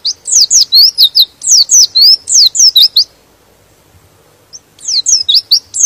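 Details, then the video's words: White-eye song meant to provoke other white-eyes into excited singing: rapid bursts of high, thin, down-slurred whistled notes strung in quick runs, a pause of about a second and a half, then another lively burst. "Suara Pleci ini bikin Pleci Lain Emosi dan ikut Gacor"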